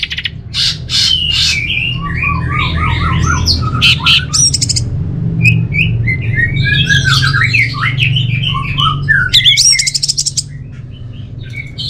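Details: Orange-headed thrush in full varied song, quick chirped and slurred phrases rising and falling between mid and high pitch, bursts of harsh buzzy notes in between, with a steady low hum underneath.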